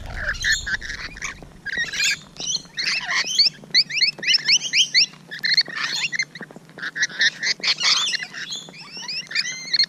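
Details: Several Rainbow Lorikeets close up in the morning, giving rapid shrill chirps and squeaky two-note whistles in quick bursts, busy overlapping chatter with short pauses.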